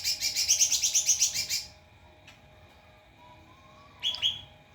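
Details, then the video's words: White-rumped shama song used as masteran, training material for other songbirds: a rapid run of about a dozen bright, high chirping notes repeated quickly, then a pause and a short sharp double note near the end. "Masteran murai batu"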